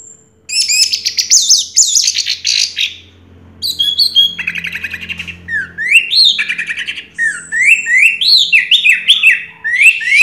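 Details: Prize-winning Orange-headed thrush, first place in a 2022 singing contest, delivering rich varied song: dense scratchy warbling, then buzzy rattling phrases and a series of loud rising-falling whistled notes repeated in quick succession; faint low hum underneath.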